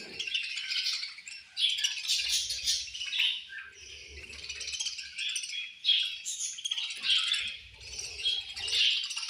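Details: Several budgerigars chirping during feeding time: overlapping high, rapid twitters and buzzy warbles in surging waves, with soft low thumps in between.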